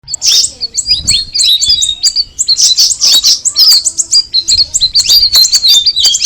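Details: Straw-headed bulbul (cucak rawis) singing: a dense, fast run of high, sharp chirps and short whistled slurs, closely packed with hardly a pause, plus a few faint low thumps.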